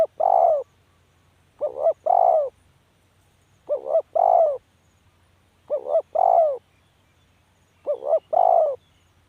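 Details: Steady spotted dove calling, five phrases about two seconds apart, each a short stuttered double note and a rounded, falling coo, in a quiet setting.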